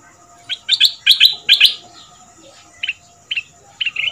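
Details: Caged Red-whiskered bulbul from southern Thailand, two months in the cage, a fierce double-note singer played as a decoy for young birds to learn; bright whistled notes in quick bursts, then shorter paired phrases spaced about half a second apart.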